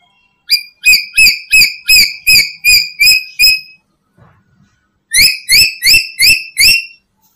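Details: Black-capped lory, called to lure other lories: a run of eight sharp, ringing notes at an even fast pace, a short silence, then five more in the same rhythm.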